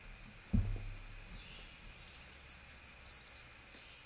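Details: Black-throated Green Warbler, a treetop bird of eastern US and Canada, sings its 'trees, trees, I love trees' song: a quick run of high, buzzy notes on one pitch ending on a slightly higher buzz; faint hum, one early thump.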